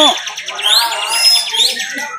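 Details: Caged bar-winged prinia singing at a songbird contest in the continuous 'bren' style, a rapid chattering stream of high, buzzy ticking notes with thin whistled upslurs cutting through, other birds overlapping faintly.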